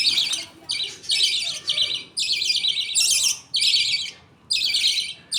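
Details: At feeding time in a pet budgerigar colony, the father passes millet food paste to two chicks, mother watching. Loud, scratchy buzzing bursts follow one another, each under a second, with short silences between.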